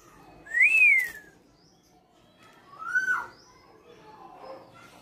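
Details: A tame female black-naped oriole, noted as a frequent singer, gives two mellow slurred whistles about two seconds apart, the first higher and arched, the second lower and shorter, in a quiet room.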